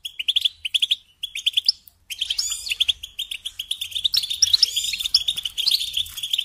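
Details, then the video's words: Goldfinch song: bursts of rapid tinkling twitters and trills, pausing briefly, then a dense continuous run of liquid chirps and buzzy notes. "Singing Along with Goldfinches"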